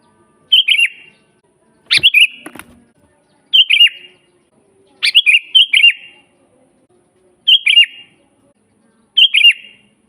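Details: Repeated liquid phrases of a sooty-headed bulbul, used as master audio for training birds: seven short warbled whistles, several starting with a sharp high note, plus a brief rattling knock near the start.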